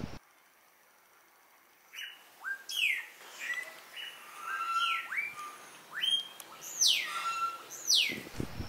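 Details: Melodious blackbird singing in the gardens of cabins at Xpujil, Mexico, where it is common and heard almost constantly; after two seconds of quiet, loud varied whistles, sharp upslurs and downslurred notes follow in a lively rapid series.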